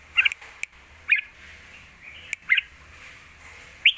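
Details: Red-whiskered bulbul, caged, in a bold 'lak wai' style song kept to teach young birds. Short rising whistled phrases are spaced about a second apart, with occasional clicks.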